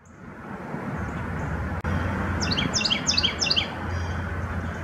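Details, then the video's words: Carolina wren calling while foraging at Bluebird Gap Farm, Hampton Roads, Virginia, in February 2019: four quick, bright, downward-slurred double notes in a rolling burst, over steady low traffic-like rumble. "Carolina wren calling (and foraging)"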